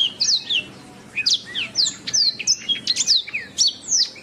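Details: Canary masteran song for teaching birds: sweeping high whistles in quick pairs, a brief lull, then steady phrases of falling slurs and chirps repeated at short intervals.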